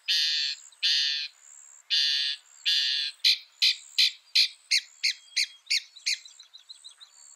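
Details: Northern mockingbird singing, a bird said to copy about 200 sounds: four harsh, buzzy squawks, then a quick series of sharp, clipped notes repeated roughly every third of a second, with a faint high hiss behind.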